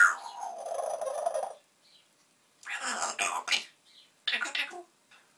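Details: Pet parrot talking to himself indoors: a long raspy, voice-like phrase, then two groups of breathy speech-like syllables, with quiet pauses between them.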